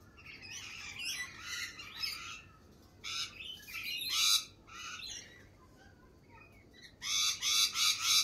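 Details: Lorikeets in spring trade raspy chatter and harsh screeches in clumps, ending with a quick run of four loud grating squawks.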